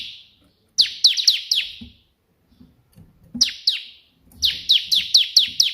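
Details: Bar-winged prinia (ciblek) singing tembakan perenjak putih style in uneven bursts: a drawn-out falling note, then quick clusters of sharp descending chips, separated by pauses holding soft low knocks.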